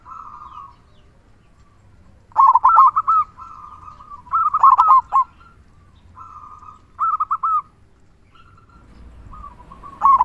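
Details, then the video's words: Singing local zebra dove with a big 'kung' voice, played as a lure to prompt other doves to sing. Quiet, drawn-out cooing alternates with three loud, rapid rolling coo phrases spaced about two seconds apart. "Perkutut Lokal Gacor Suara Kung Besar Pancingan Burung Perkutut Agar Bunyi"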